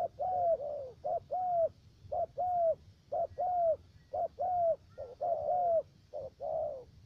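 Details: Spotted dove used as a trapping decoy in U Minh, Khánh Hòa commune, Cà Mau, Vietnam: a steady run of low coos, short notes paired with longer falling ones, roughly one per second.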